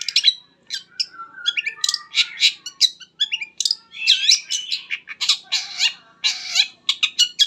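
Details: Varied long-tailed shrike song played as a lure to get other shrikes singing: a rapid, unbroken jumble of squeaky chirps, swooping whistles and harsh buzzy notes, high-pitched and scratchy throughout.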